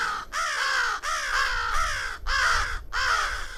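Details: A crow in Zion National Park gives five harsh, hoarse caws in quick succession, each slightly arched in pitch, with faint outdoor background noise and a voice talking about farm life.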